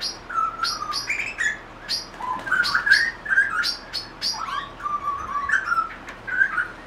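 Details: Grey butcherbird singing in a backyard: clear whistled notes around mid pitch, some sliding and some held, mixed with sharper chirps, phrases coming in quick bursts through the whole stretch.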